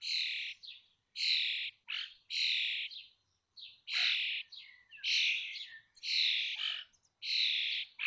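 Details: Common starling nestlings in a connected nest box at Théding, 19 May 2024, on fledging day 21 days after hatching, five young leaving: harsh, buzzy, hissing calls of about half a second each, repeated almost every second in a steady series.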